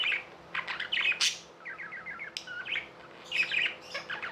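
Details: Pet budgerigars chirping: a scratchy burst, then a run of short rising whistled notes repeated quickly, followed by more warbled chatter.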